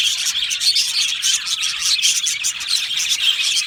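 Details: Budgie aviary colony in full song, a tight stream of bright chirps and short clear whistles over a continuous scratchy warbling background.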